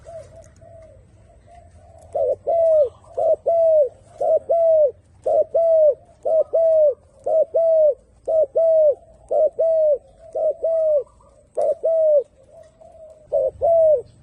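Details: Turtle dove cooing: a long series of short, arched, mid-pitched coo notes, about one per second, in steady bouts with brief gaps, with a faint low hum underneath.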